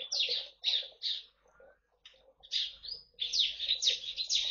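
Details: In a mixed colony aviary in East Kalimantan, Indonesia, shared with white-eyes and finches, a bar-winged prinia delivers shrill high chipping bursts in quick clusters, separated by brief pauses.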